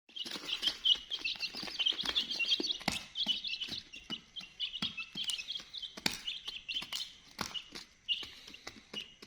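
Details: Chicken chicks chirping together: a dense, continuous chorus of high, short peeps and trills, overlapping constantly, broken by frequent sharp clicks and taps.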